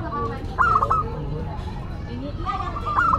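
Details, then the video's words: Local Indonesian zebra dove singing actively, described as a classic and unique voice: two short, rapid, trilled cooing phrases about two seconds apart over a busy background of other bird calls. "Perkutut Lokal Gacor Suara KLASIK Dan UNIK"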